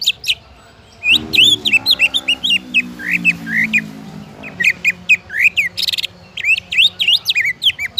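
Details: Greater green leafbird singing, used to prompt other leafbirds to sing: quick chains of sharp whistled and slurred notes, shifting pitch and pattern, with a low humming drone in the background for several seconds.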